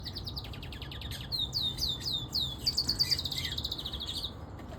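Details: A pet siskin canary singing outdoors gives a fast, twittering song of high chirps and slurred descending notes, ending in a quick run of bright repeated notes.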